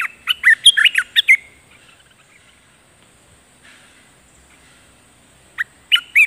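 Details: Streak-eared bulbul kept as a ground decoy for a spirited wild bird delivers a hurried string of bubbly, liquid chirps. After a long, nearly silent gap, a second short burst of three notes follows.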